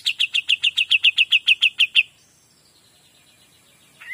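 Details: Pied Triller singing 'gacor dor': about fourteen crisp chip notes fired in a steady quick series lasting two seconds, then a long faint thin whistle and a short rising note at the close.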